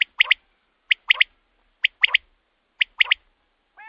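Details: Common quail calling, a recording meant to lure quail at night for hunting: crisp liquid three-note phrases, one note then a quick pair, repeated about once a second, four phrases in a row over silence.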